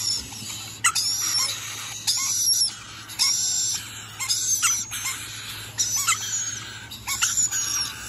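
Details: Rainbow lorikeet repeating harsh, shrieking calls roughly 53 times a minute, each a brief burst of rasping noise with fine high whistles threaded through, and a low hum behind.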